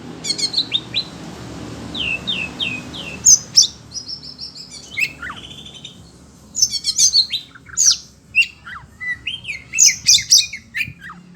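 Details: Oriental magpie-robin (kacer), a kept songbird agitated by hearing other birds, sings short chirps and a run of three falling whistles, then loud piercing bursts and rapid varied notes after a quiet gap.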